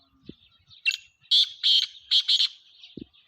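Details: Black francolin (kala teetar) calling: a loud, harsh, grating phrase of clipped bursts, a short note, then a pair, then a rapid double, set against a quiet background with a few low thumps.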